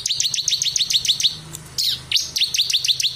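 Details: Ciblek kristal (bar-winged prinia) singing in lively, continuous 'ngebren' style, a clear-voiced recording meant as master song for training other birds: rapid, sharp, downslurred high chirps repeated about three per second, with a brief squeaky burst midway.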